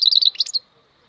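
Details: A short burst of European goldfinch song, known locally as maknine khalwi: a few quick liquid twitters followed by slurred, rising and falling notes lasting just over half a second.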